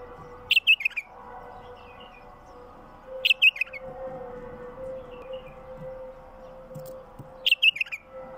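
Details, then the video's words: Wild bulbul singing, the recording used to draw in other wild bulbuls: three short, bright, warbled phrases roughly every three seconds, each a quick cluster of rising and falling notes over a steady low mechanical hum. "تغريد بلبل وحشي لفتح البلابل الوحشية القافله"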